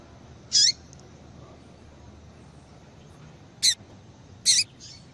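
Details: A female yellow-bellied seedeater calls to get a male ready for breeding, giving three brief piercing chirps, one early and two close together near the end, against a steady low hum.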